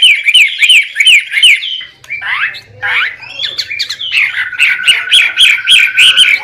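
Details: White-rumped shama in noisy training and lure song: a quick run of looping whistles, a short burst of harsh sweeping notes, then a steady rapid series of repeated chips over a sustained tone.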